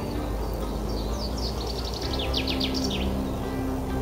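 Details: Common chaffinch singing among the first songs at the start of spring; a quick series of high, sharply descending notes that speeds up and ends in a flourish, over a noisy background with a steady low hum.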